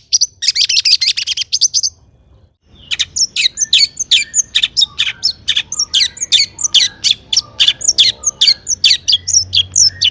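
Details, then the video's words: Long-tailed shrike in full, energetic song intended to stir other shrikes to answer: a dense high scratchy burst, a short silence, then an uneven stream of sharp chips, squawks and clicks, about two per second. "burung cendet gacor EMOSI MEWAH buat PANCINGAN CENDET AGAR BUNYI bikin BURUNG PENTET GACOR NYAUT"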